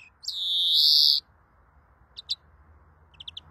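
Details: Greenfinch giving a long, loud, buzzy drawn-out wheeze lasting about a second, followed by a few soft scattered chips and a short quick triplet over low background hiss.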